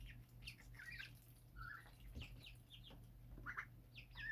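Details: Rooftop-raised birds giving scattered high chirps and a few longer slurred notes from several callers at once, over a constant low hum.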